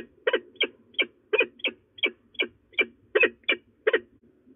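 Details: At De Mortel, Netherlands, a female peregrine falcon threatens around noon on 27 February 2024; eleven rough, scratchy notes come in loose pairs, fading slightly near the end into quiet.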